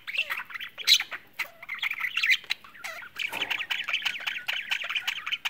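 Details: Happy budgerigars eating, singing and chirping in a busy flock, mixing squeaky chirps, scratchy warbles and quick rattling trills.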